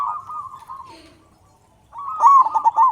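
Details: Local zebra dove with a loud voice, calling as a lure for other zebra doves: a fading run of soft cooing notes, a second of near silence, then a new burst of quick, rolling coos.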